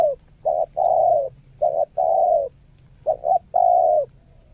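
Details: Caged spotted dove during its second training session as a lure bird, showing the stressed, interval and Meratus cooing styles: three phrases, each a short double note then a long steady coo, mellow and loud, about a second apart.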